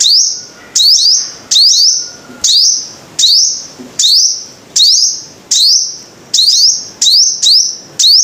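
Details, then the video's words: Five-coloured sunbird, singing shrill, high rising sweeps that end in steady thin whistles. There are about a dozen phrases, sometimes paired closely, with a faint low hum early on. "Tiếng chim hút mật 5 màu"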